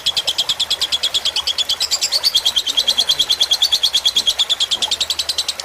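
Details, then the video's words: Fighter lovebird tutor song over trickling water meant to relax birds: insistent rapid chatter of high, clipped notes, around three per second, swelling slightly mid-phrase, with a quiet background rush of water. "Suara masteran lovebird fighter dengan gemericik air agar cepat masuk"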